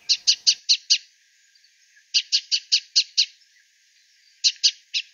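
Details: A Scarlet-chested Sunbird in southern Africa gives sharp, high chipping notes in quick bursts of five or six, repeated three times with short pauses between.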